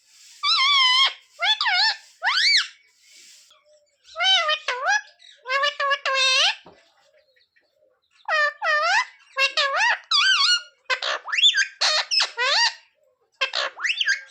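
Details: A parrot chattering learned phrases such as sita-ram, jai shree ram and mummy papa: long bursts of rapid, bending, word-like syllables, some high and squeaky, broken by brief pauses in a small room.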